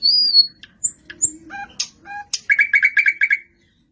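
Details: Nightingale song: a long high pure whistle and scattered thin notes, then a quick run of repeated chipping notes, about eight in a row.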